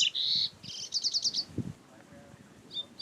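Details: Live recording in nature of a double-collared seedeater: a bright sustained whistle, then a quick series of sharp repeated high notes, a low thump, near silence, and a last faint high note.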